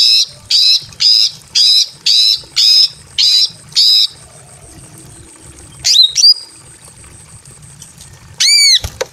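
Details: Female greater green leafbird, breeding condition, calling a male inside a simple aviary: a fast run of eight buzzy notes about two per second, a pause, one sharp note, then a final harsh squawk.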